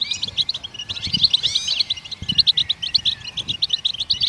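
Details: Goldfinch singing to encourage other songbirds: quick, bright, tinkling chirps run together in a steady twitter, with a couple of rising and falling slurred notes near the middle.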